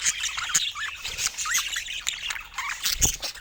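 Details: Short burst of pet budgerigar chatter: looping whistled warbles and squeaky chirps repeated in quick succession, with sharp clicks between.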